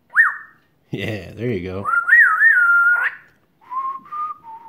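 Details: African grey parrot, over one year old, chatting with its owner: a quick up-down whistle, a buzzy voice-like babble, then a long wavering whistle and softer flat notes.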